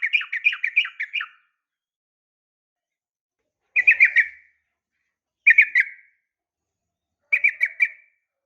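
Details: Female Yellow-vented Bulbul calling a male, for morning and evening training of captive birds. An opening run of warbled whistles is followed by three short bursts of two or three notes, separated by silence.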